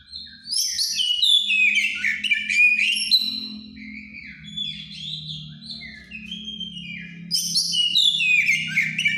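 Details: White-rumped shama in strong breeding condition, singing ngeplong style: long flowing sequences of clear whistles, upslurs and buzzy trills, loud at the start and end and softer in the middle, over a low droning background hum.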